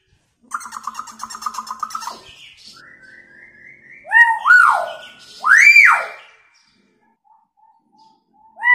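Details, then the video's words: Hill myna in full voice mimicking a siren and a woman's scream, used as a lure for quiet mynas: harsh buzzy stuttered notes, then loud swooping whistles that rise and fall in arches, repeated several times indoors. "Beo gacor suaranya unik sperti bunyi sirine & teriakan wanita"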